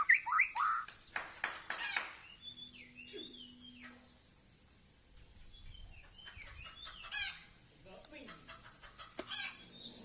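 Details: White-rumped shama of the Aceh type singing in a yard during its 'sailing ship' action: a fast burst of rapid chattering notes, a pause with a steady low tone, then scattered whistles and chirps.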